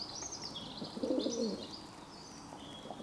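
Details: Pigeon recorded on 11 June 2022, giving a short low, husky cooing phrase of a few throbbing notes, while small birds twitter thinly and high in the background throughout.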